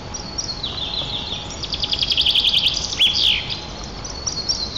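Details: A White-tailed eagle pair at their nest in Nizhnyaya Kama National Park, Tatarstan, on 7 April, greeting each other in duet as the female returns: rapid, high yelping series of thin, clipped notes ending in a sharp downslurred cry, faint hum.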